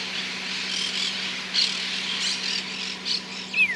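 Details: Monk parakeets on a cable in rural farmland in Argentina, waiting to raid a nearby maize field, give harsh, grating squawks every second or so, ending with a thin falling whistle over a steady low hum.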